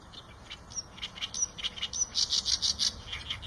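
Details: Chirps of Eurasian tree sparrow, quiet and sparse at the start, building to a loud, regular string of bright chirps roughly five per second near the end.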